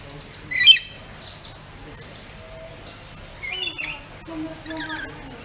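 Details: Pet rainbow lorikeets calling while playing and eating. Scattered sharp, shrill chirps and brief screechy notes come at irregular intervals, two of them louder bursts, with softer twitters between them.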